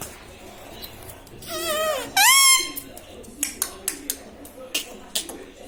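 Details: Pet green ring-necked parakeet taught to talk, saying words such as mummy and mithu. Two loud, harsh voice-like phrases: the first wavering and falling, the second rising sharply then holding steady. They are followed by a scatter of sharp clicks or taps in a small room.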